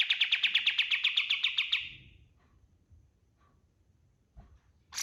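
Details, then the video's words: White-eye (kapas tembak) singing energetically, a master recording for training any kind of bird: a fast chattering trill of about fourteen bright, buzzy notes lasting under two seconds, then near silence with a faint click and a brief burst at the end. "SUARA KAPAS TEMBAK GACOR 100% DAHSYAT UNTUK MASTERAN SEGALA JENIS BURUNG"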